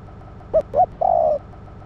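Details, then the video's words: Female spotted dove giving a call meant to stimulate a male: one short note, a short rising coo, then a longer level, slightly wavering coo, with a faint steady hum underneath. "cu mái kích trống nhạy bén"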